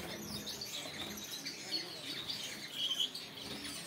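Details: A yellow Gouldian finch sings a thin, hissing, very high warble amid a busy mix of overlapping chirps and tweets from other small birds.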